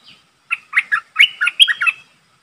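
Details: Streak-eared bulbul decoy bird calling to lure a wild flock: a quick run of seven short, bright chirpy notes in about one and a half seconds, clear and close with no background sounds.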